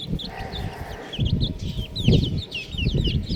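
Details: Baby chickens peep loudly with curved, high, downward-sliding chirps, several per second, over low knocking and shuffling sounds.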